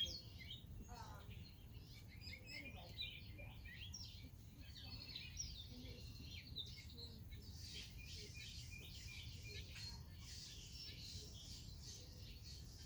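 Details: Red-winged blackbirds at Rehoboth Beach, Delaware give scattered short, sharp chirps and higher squeaky notes over a steady low rumble of wind or surf, with faint voices possible.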